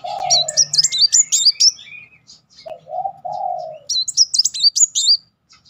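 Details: Van Hasselt's sunbird in successive 'nembak' bursts, played as a lure to trigger singing. High, jerky, warbled trill phrases at the start and end, with mellow low cooing in the middle.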